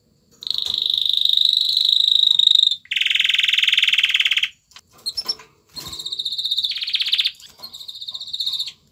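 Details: Canary male displaying to a female for mating: a sequence of fast trilled tours, a high steady roll, then a lower buzzy trill, brief chips, and more rapid trills shifting pitch.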